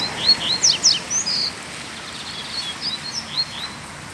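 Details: Uncaged black Double-collared Seedeater, recorded on a Sunday drive home: a lively phrase of piercing high chirps and steep downslurs in the first second and a half, then softer scattered notes fading out against steady hiss.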